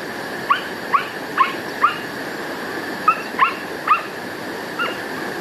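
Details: Middle spotted woodpecker on Mt. Varnous, Greece, on 20 May 2018, giving about eight short, squeaky, slightly nasal notes at an uneven pace of roughly two per second, over a steady faint background hum.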